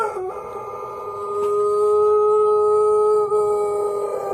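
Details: Pelung rooster of the Plered line, Purwakarta Regency, sustaining a long, even, tonal crow note that swells in loudness and holds steady for about four seconds with strong overtones.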